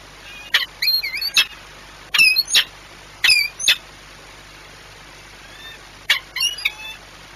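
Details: Peregrine falcon courting at Płock on 6 March 2021, calling in loud paired bursts of harsh, strained notes with a clear pause after the first few seconds before another short flurry.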